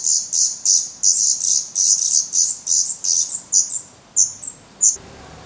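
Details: Feathered Black Redstart chicks in a Portuguese nest, 17 May 2020, hungry and begging. Regular harsh hissing bursts, about one and a half per second, slowing to isolated calls before ending in quiet.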